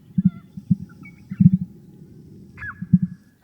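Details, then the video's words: Wild father emu guarding his young in Australia's eastern outback, posturing up his body at a sensed threat; deep low rumbling pulses in clusters, a clear warning to intruders, with a faint bird whistle over the top. "If he ever senses a threat, he'll posture up his body and produce these deep rumbling sounds."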